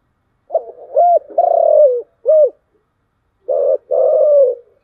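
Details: Spotted dove, thổ chiêu gù voice, giving a low cooing phrase of short hoots and a long falling coo, followed after a brief gap by two more broad, buzzy coos.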